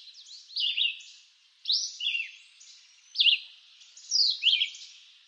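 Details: Red-eyed vireo in eastern North American woodland singing separate short, high whistled phrases about a second apart, each a quick slurred down-and-up figure, with quiet gaps between phrases.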